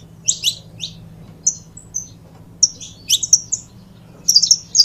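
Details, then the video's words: Saffron finch pair, the canário da terra, giving spaced, sharp high chips and short whistles, then a quick cluster of bright chirps toward the end, above a soft steady hum. "Casal de Canário da Terra Bom Para Foguear!!!"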